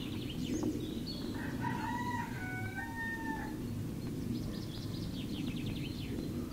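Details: Rooster crowing in the early morning at Zgornja Kungota, Slovenia, beside a dark forest; one drawn-out crow of layered tones lasting about two seconds, fairly distant, over a steady low rumble, with small birds chirping high and thin throughout.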